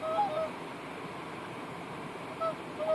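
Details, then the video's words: Tundra swan recorded at Stavanger, Norway, on 8 August 2015: brief nasal honking calls, a short pair of notes at the start and two more near the end, over steady background hiss. "Tundra swan/Dvergsvane"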